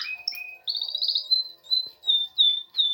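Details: Canary singing in springtime at the start of its season: two short whistles, then a fast rolling trill that slows into separate sharp, repeated high notes.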